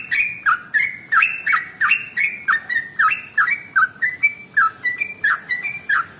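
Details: Trucukan, the sooty-headed bulbul, in a long continuous song meant to prompt other birds to sing; rapid bubbly whistled notes, each a quick dip then a level tone, repeated nearly three times a second over steady low hiss.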